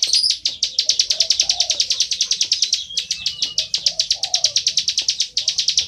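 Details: Nonstop loud song of a bar-winged prinia: fast, even runs of bright, high ticking chirps, about three each second, with a faint low cooing underneath.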